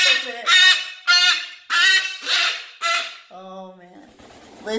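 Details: Pet umbrella cockatoo indoors, upset and throwing a tantrum because a household member is moving out; five loud, harsh, harmonic screams roughly every 0.6 seconds, then a lower honking note, with faint household noise afterwards.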